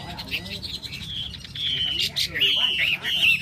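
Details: Hwamei song of clear, high, sustained whistles, some drawn out and some quickly warbled, growing louder toward the end over a faint low background hum.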